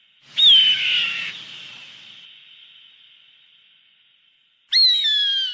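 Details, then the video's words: Hawk call for driving birds off: a shrill descending whistled scream with a long fading echo, then a second harsh scream breaking in at the end. "Tiếng Chim Ưng đuổi chim hiệu quả 100%"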